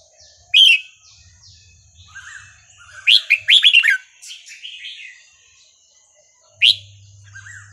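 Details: Red-whiskered bulbul singing a Burmese-style song, played for training young birds: sharp bright chirps separated by softer slurred warbled notes, with a dense burst of chirps around the middle and a last loud note near the end.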